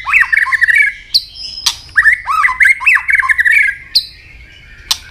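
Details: White-rumped shama, a bird said to be changing plumage, giving its fighting song while snapping its tail. Loud, rich whistled phrases that rise and fall, repeated in bursts, with sharp clicks and short high notes between them.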